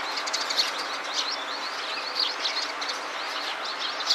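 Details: Eurasian tree sparrow (Passer montanus) scratching itchy spots with beak and feet gives short, bright chirps in quick irregular bursts over a steady hiss, possibly with other small birds chirping.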